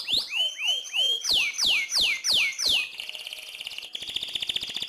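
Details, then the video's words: Lively canary in full song as master song for training other birds: loud, high whistled notes swooping sharply downward, about three a second, then a fast buzzy trill and a rapid rattling series of clicks. "Kenari paling gacor lincah"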